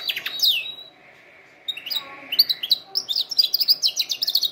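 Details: Singing canary, used to train canaries: a few sharp downslurred whistles and a held tone, a soft lower buzz, then a fast series of bright repeated high chirps.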